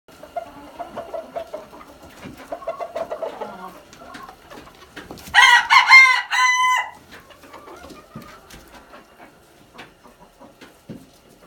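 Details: Red junglefowl crowing: one loud, harsh, multi-part crow lasting about a second and a half in the middle, preceded and followed by softer chirps and calls from other birds in the background.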